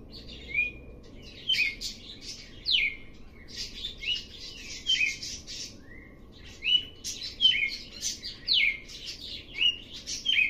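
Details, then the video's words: Song of a red-cowled cardinal that begins quietly and builds up: clear, sliding whistled phrases delivered in quick succession with brief pauses, over a faint background hum. "Galo de campina começando BAIXO e aumentando o CANTO."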